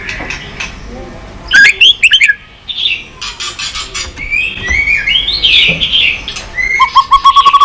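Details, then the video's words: White-rumped shama song meant to rouse weak-spirited shamas: soft warbles give way to loud rising whistled phrases, scratchy chatter and a closing run of fast repeated ticking notes. "Chòe lửa tạch liên tục.dùng Kích Chòe Lửa yếu lửa"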